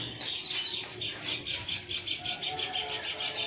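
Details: Lemon-bellied white-eye from Lombok, a male call used to stimulate a quiet caged male to sing; rapid high chirps repeated about five times per second in a steady even series, with faint low background hiss.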